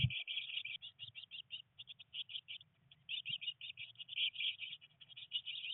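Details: Nestling Eurasian blue tits, three chicks nineteen days old in a nest box, in rainy weather while first trying to fly: near-continuous high chirping in fast pulsed bursts, with a brief dip after about two seconds.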